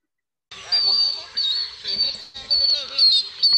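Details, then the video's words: Bronze-winged jacana call, possibly played back, giving high, thin, wheezy notes in a quick series of about two per second, sounding slightly tinny. "Okay, that is the call of the bronze-winged Jacana. Okay."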